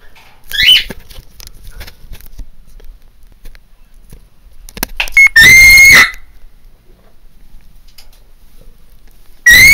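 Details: Pet macaw screaming: one short rising shriek, then two loud, piercing, steady tonal screams with strong overtones, each under a second, separated by quiet indoor background with faint clicks.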